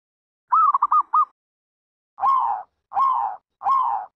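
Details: Zebra dove with one quick stuttering run of short coo notes, then three longer, slurred single coos in steady succession, with no background noise.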